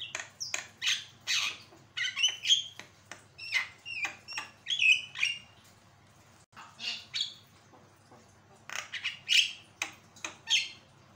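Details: Javan myna, a caged bird in lively full song, used as a tutor to train other birds and prompt them to sing: harsh squawks and buzzy notes with short whistled slurs in irregular bursts, a brief pause midway.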